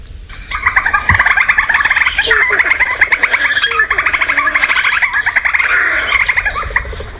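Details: Black Crake call played from a phone, a strange call unlike a small bird's: a fast, harsh chattering rattle of rapid repeated notes running several seconds, with a few squeakier notes, recorded on a sunset safari drive in Sabi Sand, South Africa, December.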